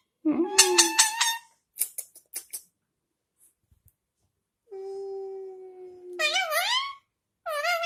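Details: Parrot, described as happy, giving varied harmonic calls: a low whining note, a quick run of stacked squawks, a few soft clicks, a long steady whistle-like tone, then wavering warbled cries rising and falling.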